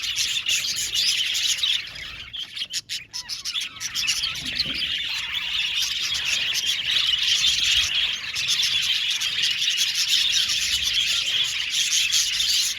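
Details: Budgie colony in an aviary keeping up continuous high chatter of chirps and warbles, briefly interrupted early on by a few sharp clicks and a dip, then returning to a dense, steady chorus.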